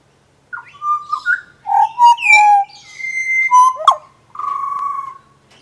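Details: Pied butcherbird from Australia, a predatory bird that sings loudly in the morning: clear, melodic whistled notes, some flat and held, others sliding or warbled, delivered in a varied phrase of about eight notes over near silence.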